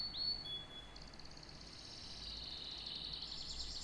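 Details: A canary gives a short thin whistle followed by a soft, high rattling trill that fades and swells slightly.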